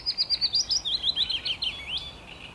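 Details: Willow warbler singing on 17 May 2021: one song phrase of soft, sweet whistled notes, about ten quick down-slurred notes sliding gently lower in pitch and fading toward the end, lasting about two seconds.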